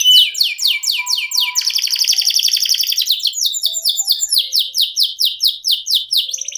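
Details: Canary delivering a long 'ngerol' song: quick descending sweeps, a sustained buzzy rolling trill, then a long run of rapid downward whistled notes repeated several times a second.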